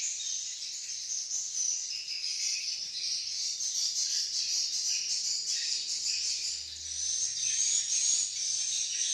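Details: A crowd of swiftlets in Malaysia making a continuous high, buzzy twitter, dense and unbroken, with faint rises and falls in loudness and a thin whistled trill near the end.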